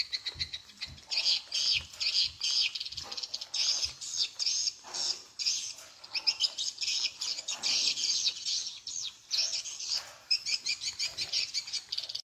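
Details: Tripel Queen lure used to attract edible-nest swiftlets: bursts of dense high twittering chirps separated by short gaps, with an irregular stuttering rhythm.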